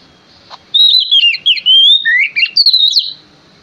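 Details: Singing male Oriental magpie-robin, a lure to make other birds reply: a quick, varied phrase of sweet whistles that rise and fall, with a low dip and a bright rising note near the end.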